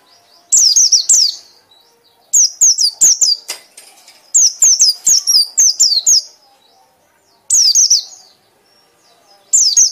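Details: White-eye delivering forceful ngekek song in repeated clusters of shrill downslurred whistles, several notes per burst, the bursts coming every one to two seconds with short silent gaps between.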